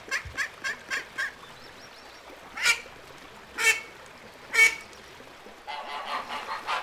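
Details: Quacking ducks on a lagoon, a quick series of short calls, then three widely spaced strong quacks and a closing cluster of fainter overlapping calls.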